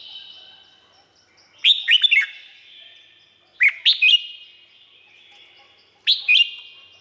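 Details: Thai red-whiskered bulbul giving three lively song phrases roughly every two seconds. Each is a tumbling group of clear, slurred whistles, bright and cheerful, with soft echo trailing each burst over a quiet background.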